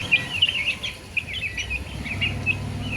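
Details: Baby chicks chirping: a string of short, high, slurred peeps overlapping one another, several per second, with a low rumble underneath.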